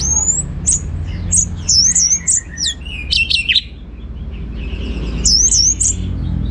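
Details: Orange-headed thrush singing teler-style: very high, thin squeaky whistles in short repeated figures, then a lower tumbling warble and a final cluster of high squeaks.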